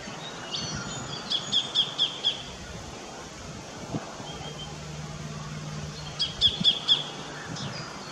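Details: Sacred kingfisher in an Australian backyard: a run of five sharp, evenly spaced high notes, then a pause and a second run of four. Steady rural background hiss with a low hum midway.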